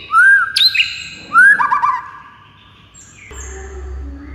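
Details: Provocation song of a white-rumped shama aimed at rival birds: two loud phrases of arched fluty whistles with sharp high notes, followed by a quieter stretch with low background rumble.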